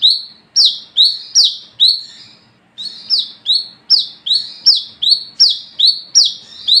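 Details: Wiceh, the olive-backed sunbird, singing at night in the ngalas ngeplong style used to lure others: four quick, high, downslurred notes, a half-second break, then a longer run of about eleven paired, bright notes.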